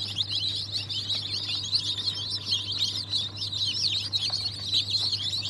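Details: A crowd of freshly hatched Cream Legbar, Australorp and Ayam Cemani chicks, February 2023 hatch, giving shrill overlapping cheeps that blur into an unbroken high-pitched chatter, over a constant low mechanical drone.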